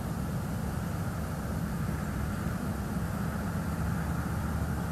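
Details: Steady low rumbling noise, like wind or distant traffic, fills the recording at a bald eagle nest in northeast Florida, with no animal calls.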